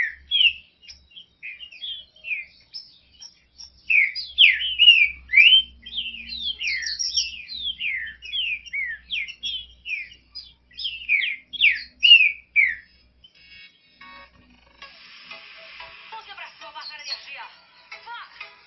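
A Green-winged saltator sings rich, clear whistled phrases, rising and falling in quick slurred notes.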